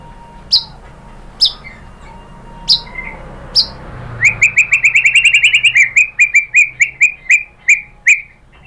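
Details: Murai batu, the white-rumped shama, in a lure song intended to draw answers: a few spaced sharp high notes, then a quick series of clipped repeated notes that speeds up and gradually slows toward the end.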